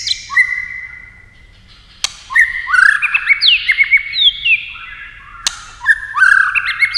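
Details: White-rumped shama in competition singing: hooked whistles, a quiet pause, a click, then a lively run of sweeping and wavering whistles, another click, and further hooked phrases.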